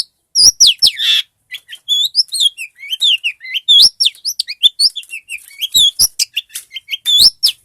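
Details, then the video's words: Long-tailed shrike in vigorous song used to train other songbirds. A dense stream of high, sharp, varied notes mixes quick downslurred whistles, ticks and twittering, almost without pause. The background is quiet. "Suara burung cendet gacor bagus untuk masteran"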